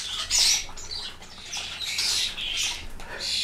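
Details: A group of common starlings making a noisy racket: dense overlapping rasping squawks and scratchy chatter, the loudest burst early, with the rest a nearly continuous harsh din.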